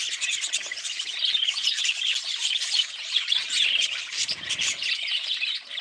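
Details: Budgerigars giving a steady, dense warbling chatter of overlapping high chirps and squeaks that runs without pause, with no single clear phrase standing out.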